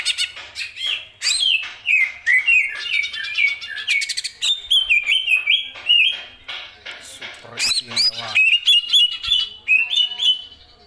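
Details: Greater green leafbird, kept as a cage bird, in a loud, full song: rapid varied phrases of clicks and chattering notes mixed with clear whistled slurs hovering high, repeated in quick succession without pause.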